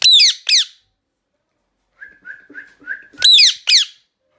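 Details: Indian ringneck parrot screaming: a shrill paired screech, a pause, a run of soft short whistled chirps, then another piercing double scream.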